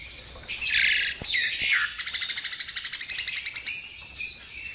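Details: Javan myna singing a burst of whistled and scratchy notes, then a long, steady string of quick repeated chips, ending with a few separate whistles. The bird is close and clear, with a quiet background.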